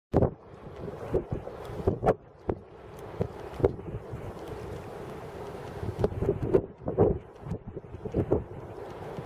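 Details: Gusty wind buffets the microphone in irregular thumps and rushes, with no animal call audible.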